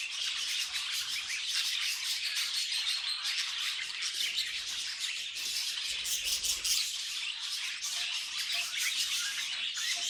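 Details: Funny noises from pet budgies: steady high twittering and chirruping with intermittent harsh squawks, a sustained flock-like babble with few gaps.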